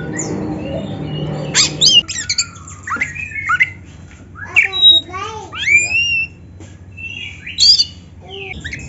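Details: Oriental magpie-robin (kacer) training recording from Indonesia. Brief speech-like noise comes first, then scattered, varied whistles, upward sweeps and scratchy notes in loose phrases, with quiet gaps between them.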